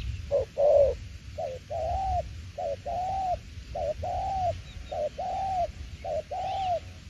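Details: Spotted dove in đồng tiểu liên cooing: deep, smooth coos in pairs, a brief note leading into a longer, slightly arching tone, about six pairs delivered with short gaps between them.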